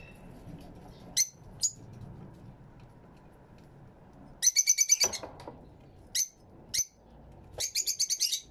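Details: Fischer's lovebirds in an aviary giving short shrill chirps, some single and spaced, others in rapid bursts of quick repeated notes, with quiet gaps between calls.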